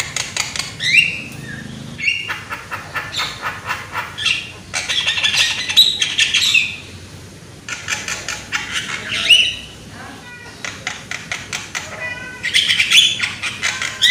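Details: Young Javan myna with a loud voice, sung as a lure to get other mynas singing: harsh, broadband rasping bursts mixed with short sharp whistled notes, in uneven phrases with brief pauses.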